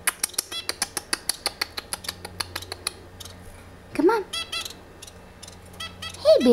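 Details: A three-month-old female cockatiel gives a run of quick sharp clicks, then two brief, harsh rising-and-falling squawks, while a woman's voice coaxes it to whistle the "cat call" indoors.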